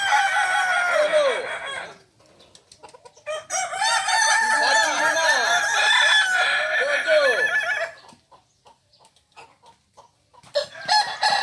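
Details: Kokok Balenggek rooster at a joint practice session in Ampang Kualo, Solok; a long multi-syllable crow of repeated looping, arched notes lasts several seconds, followed by near-silence with clicks, then another crow begins at the end.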